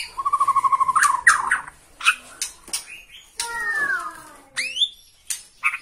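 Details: Borneo white-rumped shama in emotional song on sighting a rival: an even rapid trill of clear notes, sharp chips, a long descending whistled slur and several abrupt high snapping calls.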